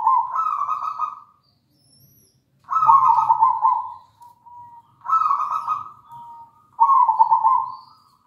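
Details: Local zebra dove in full song, used as a training recording for other doves: four rolling coo phrases about a second long, each starting high and dropping into a vibrating trill, with faint low hum behind.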